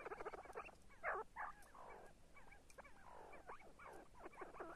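See-see partridges give a rapid, overlapping chatter of short nasal notes and squealing slurs, several birds calling at once over a faint background hiss.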